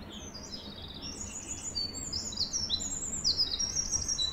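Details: Canary uttering quick, high, sweeping chirps that grow louder and denser toward the end, with a faint low background hum.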